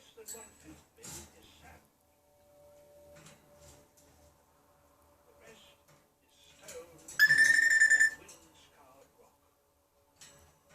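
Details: Pet African grey parrot in America: one loud, level whistle lasting about a second, with rich overtones, standing out among soft indoor noises and brief faint voices.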